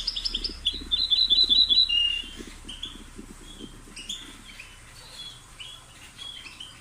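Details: European goldfinch twittering: a quick run of bright, tinkling high notes in the first two seconds, then scattered fainter chirps and slurred notes, over a steady low rhythmic pulsing throughout.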